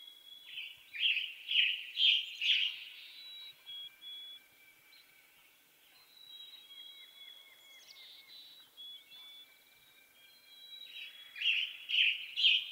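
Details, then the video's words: Western tanager in western North America delivering bursts of hoarse, burry, robin-like phrases at the start and again near the end, with thin steady whistles and soft bird notes in between. "Western Tanager Bird Song"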